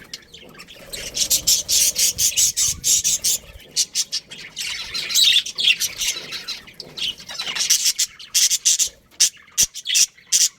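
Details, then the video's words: Budgerigars of a breeding pair in a colony chatter in rapid, harsh, buzzy pulses, almost continuous at first and then breaking into separate sharp bursts near the end. "Cute Budgies Chirping Sounds"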